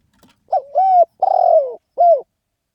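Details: Spotted dove delivering one 'khan yon' call used in decoy trapping. A faint tick comes first, then a short coo running into an arched coo, a buzzy descending drawl and a crisp final coo. No other sounds are heard.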